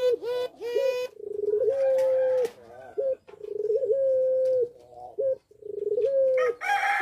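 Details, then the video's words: Puter pelung dove in breeding condition, caged at a breeding aviary, sings three phrases, each a clipped stutter followed by a long even coo. Brief rooster crowing is heard at the start and end. "Puter Pelung Gacor Birahi | Pancingan Puter Pelung Cepat Birahi"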